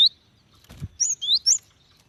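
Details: Female cinereous tit calling a male, used to stimulate wild birds into song; a brief whistle, a soft fluttering rustle, then three clear rising-and-falling whistled notes in quick succession.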